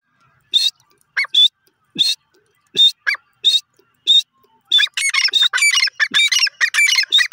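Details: Female grey francolin with chicks: spaced thin high chirps and short rising notes, then a quick burst of overlapping squeaky chirping toward the end, in an otherwise quiet setting.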